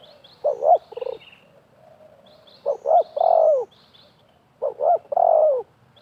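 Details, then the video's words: Spotted doves, a wild bird and a decoy, calling against each other at a bird-trapping site with half-circle nets: phrases of two short, bouncy coos followed by a longer falling coo, repeated about every two seconds, with faint higher chirps above. "TERKUKUR LIAR DAN PIKAT BERADU/BERLAGA HEBAT"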